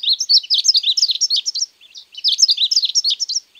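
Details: Azulito or ultramarine grosbeak from Uruguay giving two quick warbling phrases of bright, rapidly alternating high notes, each about one and a half seconds long, in otherwise silent surroundings.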